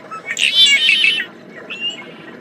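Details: Tricolored blackbird song: a brief harsh, buzzy burst lasting under a second, followed by a short rising twang, over low background rumble.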